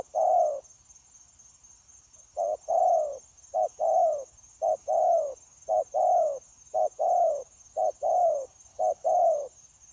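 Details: Wild-caught spotted dove kept as a trapping decoy, cooing steadily in the continuous 'gù' style, recorded 9 January 2024: low hollow paired notes, a short coo then a longer falling one, repeated about once a second, over a steady high hum.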